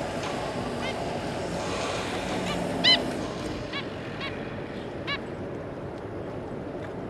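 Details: Family of zebra finches, an adult pair and three juveniles, recorded 26 May 2022: scattered brief nasal toots, about eight in all, one louder near the middle. A constant rushing noise fills the background.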